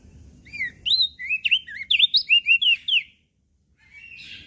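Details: Mountain leaf warbler in lively song, used as a lure and tutor for training small caged birds: a quick run of about ten sharp, high whistled notes slurring up and down, then a brief softer buzzy phrase at the end.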